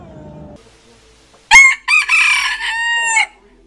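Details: A rooster crowing: a loud cock-a-doodle-doo with a sharp opening note, a short break, then a long, strained, sustained note lasting over a second. A brief low sound is heard first.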